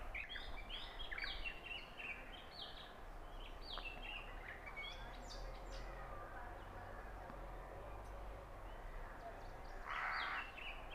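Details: Oriental magpie-robin singing at Punnad, Iritty, recorded on a Nikon Coolpix B600 camera: a run of varied, sharp whistled notes over the first six seconds, then a brief burst near the end, over steady low background noise.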